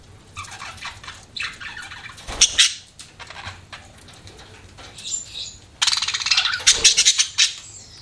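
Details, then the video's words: Pet budgerigars chirping: bursts of bright, scratchy high twittering, broken by short pauses, with a louder rapid run of chatter near the end. "BUDGIES CHIRPING SOUND"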